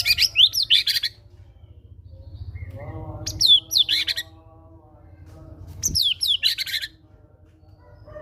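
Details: Caged white-rumped shama used as a prompting recording to get a bird to sing, the song loaded with mimicry of the Java sparrow's notes; rapid bursts of high chirpy notes about a second long, separated by pauses, over a low hum.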